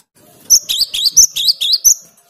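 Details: Gelatik batu (cinereous tit) singing a clear, vigorous 'gacor' song used to provoke rivals: a fast run of about eight sharp, high upslurred notes, each paired with a thin squeak.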